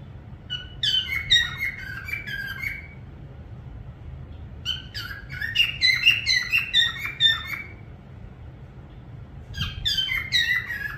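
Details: Parrot whistling in three bursts of rapid, chattering chirps and warbled notes, each lasting about two to three seconds, separated by quiet gaps, with faint low background hum.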